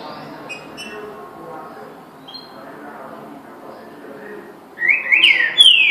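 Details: Green-winged saltator giving a short, loud whistled phrase near the end, rising then sweeping down. It follows a quiet stretch with faint scattered high notes.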